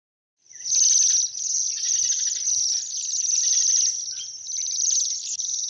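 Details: A flock of Bohemian Waxwings, winter visitors to Central Europe in cold winters, gives a continuous chorus of high, thin, sibilant trills that overlap into a shimmering, bell-like hiss.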